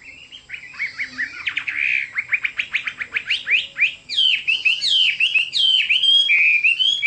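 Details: Chinese hwamei song starting softly, then a quickening series of short rising notes that bursts into loud, rich warbling whistles and sweeping slurred phrases.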